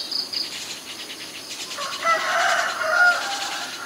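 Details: Common myna, Ubon Ratchathani, Thailand, May 7, 2022, Nikon P1000 recording: a few high thin notes at first, then a loud, grating, richly layered call with gurgling whistled tones lasting about two seconds.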